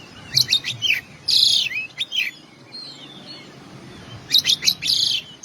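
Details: Oriental magpie-robin fill-in song with groups of bright, piercing whistles and chips separated by a harsh, buzzy rasp and soft sliding notes.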